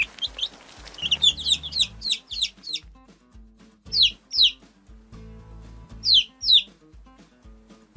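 Chicken chicks peep in high, sharp, down-slurred notes, delivered in quick clusters of two to six. Soft background music plays throughout.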